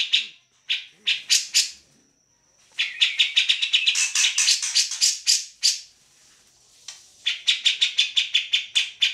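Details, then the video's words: Grey-cheeked bulbul in lively full song, used as a model for training other songbirds: bursts of loud, high, rapidly repeated chattering notes in fast runs, separated by short pauses, with a thin steady tone in the first pause. "Cak Jenggot Gacor"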